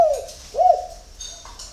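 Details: Spotted dove singing in the early morning at a spotted dove bird garden in Ba Vì, Hanoi, Vietnam: two soft, hollow coos, each a short swoop that rises then falls, with a quiet pause between them.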